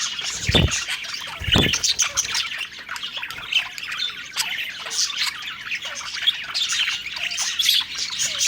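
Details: Budgerigar flock, happy and feeding, giving busy overlapping warbles and sharp squawky chirps, with two low knocking thuds near the start.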